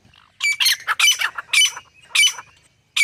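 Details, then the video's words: A grey francolin uttering irregular harsh squawks, clustered notes separated by uneven gaps, with a faint low background murmur between the calls. "Top 15 Different Voices Of Grey Francolin - Teetar Sounds"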